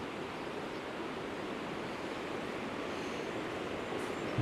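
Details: Continuous broadband roar of flowing river water on the River Don, with no animal calls present.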